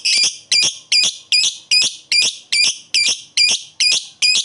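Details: Lovebird giving its koek call to challenge a rival: harsh, buzzy high double-noted squawks repeated evenly about twice a second, ten in a row.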